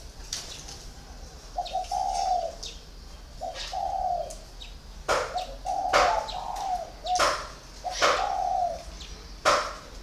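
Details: Low rounded coos from a caged spotted dove of four years' captivity, a còi bird, phrases recurring every couple of seconds. Loud sharp clicks or taps and faint high chirps break in between.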